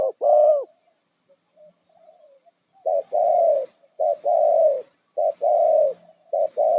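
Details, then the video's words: Cooing of a wild spotted dove serving as a decoy for bird trapping: deep hoarse two-part phrases, a brief note then a long coo, repeated about four times at irregular intervals. "BURUNG LIAR DARI LOKASI INI CEPAT JADI PIKAT"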